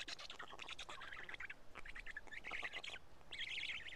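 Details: Feeding at a black stork nest in Karula on 31 May 2017, chicks taking pieces of two big fish; rough squawking bursts stutter rapidly, ending in a louder, wavering nasal phrase.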